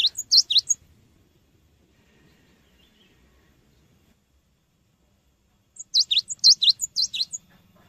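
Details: Cinereous tit singing energetically, used as a lure for training birds: two bursts of rapid, high, ringing notes in alternating pitches, separated by about five seconds of near silence.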